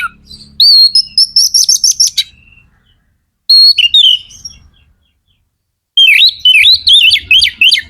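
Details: Kacer magpie-robin in top singing form, used to rouse other kacer: a fast series of high whistled notes, a pause, short slurred phrases, then rapid rising and falling whistles.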